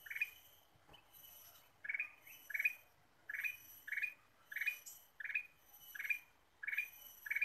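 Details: Lively Ruby-throated bulbul song played as a trapping lure (pikat kutilang emas): clipped, buzzy chirp phrases repeated steadily at about one per second, each ending in a quick rising flick, with a faint thump early on.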